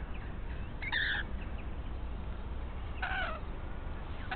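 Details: A chatty pair of rainbow lorikeets raiding a pied currawong nest that holds no eggs or chicks yet. Two harsh, grating screeches sound about two seconds apart over a steady low background rumble.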